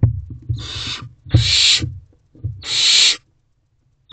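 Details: Three loud, breathy hisses in quick succession from a hungry barn owl owlet awaiting food in a nest box at 8:26 pm, accompanied by knocking and shuffling sounds.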